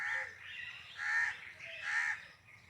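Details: Peacock repeating a loud, nasal, harmonic call twice about a second apart, with faint cooing underneath.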